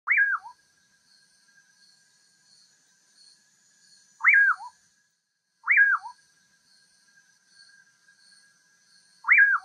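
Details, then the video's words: Common pauraque, known locally as bacurau or curiango, singing four loud whistled phrases, each a quick rising sweep that slurs downward and ends in a short lower note, with long pauses between; faint insect-like hiss and a thin steady tone behind. "O Canto do BACURAU (Nyctidromus albicollis) Bird Song - Common Pauraque"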